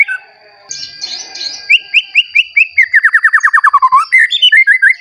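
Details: White-rumped shama song used as a lure to make other shamas sing. Soft chatter gives way to a rhythmic series of clear whistles, then a rapid falling trill, then more bright repeated notes.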